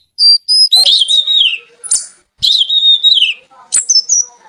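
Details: Melodious kacer, the oriental magpie-robin, in full song: high whistles lead into long, rich warbled phrases that slide downward, broken by sharp clicks and ending on a rising whistle.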